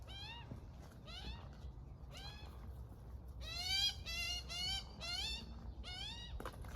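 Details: Magpie chick with its mum, who feeds it during a morning together; whiny harmonic calls start softer and sparse, then grow louder and quicker, bunched squeals sweeping up and down, over faint low background noise.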